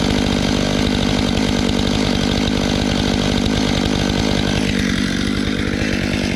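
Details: A chainsaw or similar power tool runs loudly and without pause from start to end.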